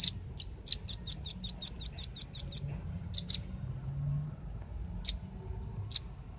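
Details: Lure recording of a velvet-fronted nuthatch for drawing birds in: a quick series of about a dozen high, sharp chips, then scattered single chip notes spaced by pauses, against faint low background noise.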